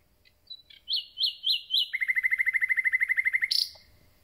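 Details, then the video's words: Common nightingale, just arrived and starting to sing: a few thin notes, then four loud upslurred whistles, followed by a rapid, rattling trill of about twenty identical notes ending in a sharp high flourish. Faint low rumble underneath. "Słowik rdzawy i jego piękny śpiew"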